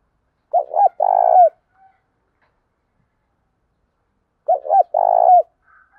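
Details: Spotted dove cooing to urge captive doves to coo, two phrases four seconds apart, each a pair of short bent coos running into a long buzzy rolling note.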